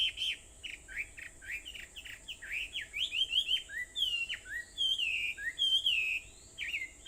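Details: Wild birds singing on Aobayama in Sendai, Japan, at 4:30 in the morning on 21 July 2014: a busy dawn chorus of quick whistled phrases, chirps and slurred notes, some sweeping down and others rising, over a steady high thin hum.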